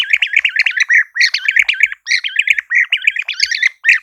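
European Bee-eaters give mellow, liquid, burry trilled notes, several birds calling in quick overlapping bursts, roughly two or three per second, with no other sounds.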